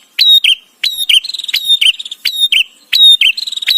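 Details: Loud, close bar-winged prinia used to tutor white-rumped shamas: a rapid chain of piercing upward snaps, each trailing into a falling whistle and soft chatter, roughly every two-thirds of a second.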